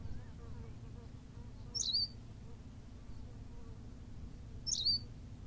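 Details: Berthelot's pipit on La Gomera in the Canary Islands, giving two short, sharp, high-pitched calls about three seconds apart over a steady low rumble.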